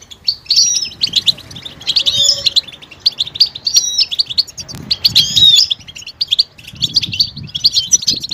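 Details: European goldfinch mating calls that stimulate males to sing: bursts of liquid twittering and bright chirps alternate with short pauses, some phrases rich and tinkling, over a low background murmur.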